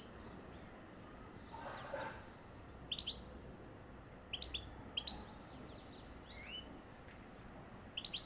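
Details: European goldfinch song meant to encourage mating, given as sparse clusters of sharp high chirps and twitters spaced a second or more apart, with a brief low thud near the start and constant background hiss.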